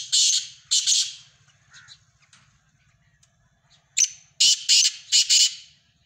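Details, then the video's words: Black francolin giving a harsh, rasping call: two strong notes, a pause with faint softer notes, then a rapid grating series of four to five loud notes over a quiet low hum. "Kala Teetar Ki Awaaz"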